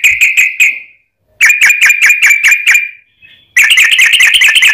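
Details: Yellow-vented bulbul in a long fighting song meant to goad other bulbuls into singing: three loud bursts of fast, ringing, metallic notes with short gaps between them, the final burst dense and harsh.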